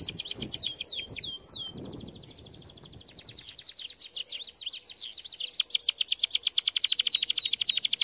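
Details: Canary song meant for teaching other canaries: a few sweeping whistled notes open into a long, very fast rattling trill that grows louder, with wavering high whistles layered over it toward the end.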